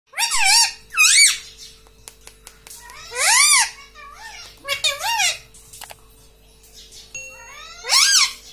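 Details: Pet ringneck parrot, a green rose-ringed parakeet kept indoors, talking and repeating "mummy": five loud, high, arched nasal phrases with rising-then-falling pitch, some in quick pairs, separated by quiet pauses with faint clicks in a small room.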